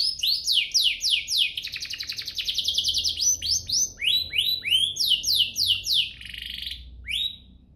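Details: Lively canary song played to stir other canaries into singing: fast series of steep descending sweeps, a rattling trill in the middle, more sweep runs, and a softer ending.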